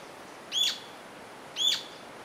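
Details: Rufous-tailed jacamar giving two sharp, high, slightly downslurred notes about a second apart, each clean and ringing with bright overtones, over a quiet background hiss.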